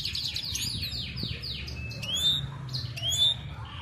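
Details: European goldfinch singing to a female in training: a run of descending swept notes roughly twice per second, then clear rising whistled slurs with twittering, over a soft low hum.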